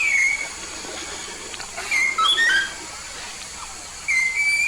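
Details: Yellow-faced myna from Papua singing energetically: brief level whistles at the start, a cluster of quick up-and-down whistled notes mid-clip, and another pair of flat whistles near the end, over a constant electrical hum.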